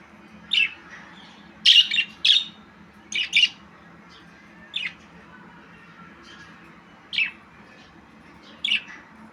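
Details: Budgerigar, a small pet parrot: scattered sharp, squawky chirps, some doubled, separated by pauses of one to two seconds, over a quiet low hum.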